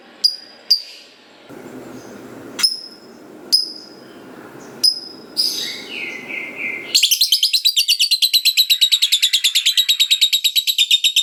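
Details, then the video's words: Lovebird in full gacor song, used to provoke young lovebirds into answering: scattered high chirps and clicks for seven seconds, then a long, rapid, unbroken series of shrill high notes repeated evenly to the end. "Pancingan Lovebird Gacor Gak Mau Diam, Suaranya Bikin Loverbird Bahan Dengar Langsung Nyaut Bunyi"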